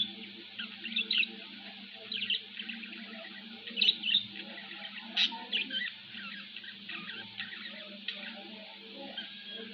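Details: Budgerigar kept as a pet warbles and chirps in bursts, sharp squeaky notes and clicks rising above softer chatter, a steady low hum underneath.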